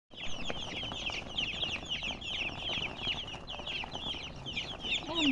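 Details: Chickens chirping: a dense, continuous chorus of short, high, downward-sliding chirps from several birds overlapping without pause, with a lower drawn-out note near the end and faint background noise.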